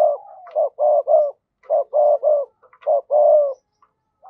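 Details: Decoy spotted dove calling with double-voiced coos to stir up wild doves. Steady, closely spaced groups of mellow, throaty hoots roll on almost without pause, with a few faint clicks between phrases.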